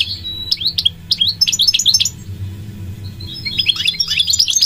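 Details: A goldfinch gives a high, thin whistle followed by spaced sharp chirps, then a quick, busy series of twittering notes, over a soft low hum.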